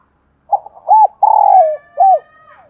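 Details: Spotted dove cooing in the morning: a short soft note, an arched coo, a long drawn coo sliding down at its end, then a final arched coo. Faint thin whistled tones run beneath the later notes.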